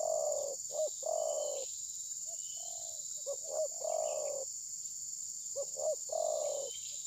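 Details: Spotted dove used as a trapping decoy, reluctant to attack its rival and possibly moulting, recorded on a mobile phone: three soft coos, each two short hoots then a long rolling coo, over a steady high insect drone.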